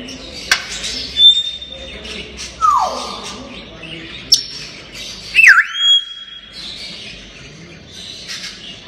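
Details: Playful talking grey parrot producing clear whistles: a level high whistle, a falling slurred note, a sharp click, then a swooping whistle that dips and rises, separated by quiet gaps with faint background noise.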